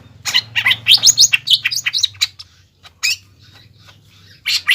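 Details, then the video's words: Greater green leafbird, singing to provoke rivals: a jumbled, fast warble of rising chirps and sharp high notes, with a steady low hum in the background. "CUCAK IJO GACOR MBESET MEMANCING EMOSI LAWAN AGAR JAMTROK DAN JAMBUL"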